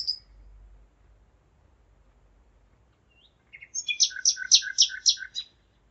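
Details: Common nightingale singing at 01:55, 5 May 2017, in Zeitz, Germany; after soft notes a loud, evenly paced series of about six rich, pulsing repeated notes rings out on a still night.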